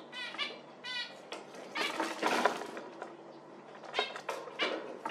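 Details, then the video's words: A few crisp nasal zebra finch calls at the start and end, with a stretch of broad rustling, clattering noise in the middle. "Diamant Mandarin"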